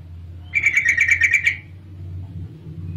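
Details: Female yellow-vented bulbul call, used to lure males into singing: a quick burst of about eight sharp, bright chips in a one-second run, then silence over a low background hum.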